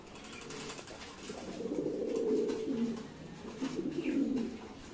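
A domestic pigeon gives low, throaty rolling coos in two drawn-out phrases.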